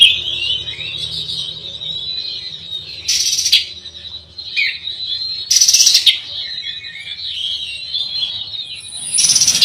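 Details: Oriental magpie-robin, called kacer, in a provocative song style meant to unsettle rivals: varied high warbles and whistles, with a loud, harsh, buzzy burst roughly every three seconds.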